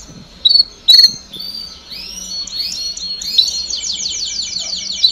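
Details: Canário do reino song in a baderna, played for young birds so they learn to sing faster: two sharp clicks open, then rising swept notes build into a rapid, rhythmic rolling trill.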